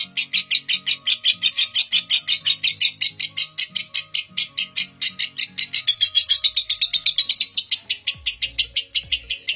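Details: Record-breaking lovebird ngekek, a non-stop chatter said to run seven minutes, suited for training young birds: dense rapid pulsed trill that slightly rises and falls in pitch throughout, with quiet music underneath.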